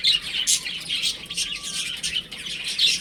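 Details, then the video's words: Young chickens playing at home, filling the space with rapid, overlapping high cheeps; a couple of sharp, loud peeps break out near the start and the end. "Cute Baby Chicken Chirping Sounds"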